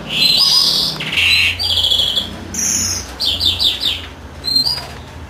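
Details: Greenfinch male singing beside the incubating female: buzzy wheezed notes, then a clipped series of quick trilled notes and twitters.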